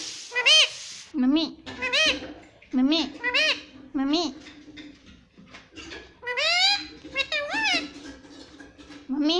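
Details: Indian ringneck parrot talking, saying "mommy" again and again: a long string of short, rising-falling, nasal syllables, roughly one every half second, with brief pauses and a faint hum underneath.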